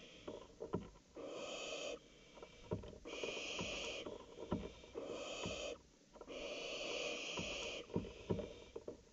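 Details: Barn owls recorded at night on 19 July 2018 around 02:56; long breathy hissing screeches of one to two seconds, four in a row at short intervals, with soft knocks and rustles between them.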